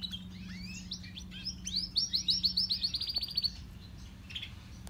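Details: A canary's song from the grey and crested pair, opening with quick sweeping notes, then a fast evenly repeated trill of about a dozen bright pips before fading; low hum behind.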